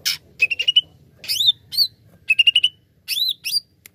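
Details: Greater green leafbird lure song for prompting other birds to sing: repeated short phrases of quick stacked chirps and upswept whistles, each about half a second long, separated by brief pauses.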